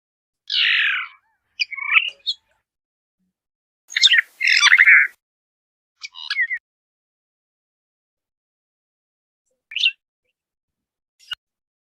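Phainopepla giving short, squeaky, slightly harsh chirps and warbled phrases in irregular bursts, a few seconds apart, then fainter single notes; nothing else heard.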